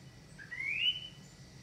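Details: A pet crested lark gives one clear, sweet whistle that slides upward over half a second, over a faint low indoor hum.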